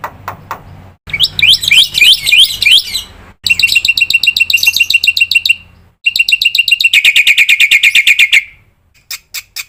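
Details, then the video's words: Black-winged myna in a full training recording with filled-in phrases, cut into bursts: harsh, buzzy notes repeated rapidly, some rising sharply, then a steady run of grating chips and a few isolated clicks at the end. "suara masteran jalak putih full isian"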